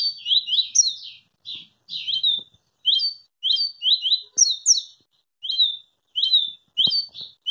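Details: Rapid song of a double-collared seedeater, noted for its speed: a nearly continuous run of sharp upslurred chirps, some doubled, broken by brief gaps, with a few soft knocks in the background.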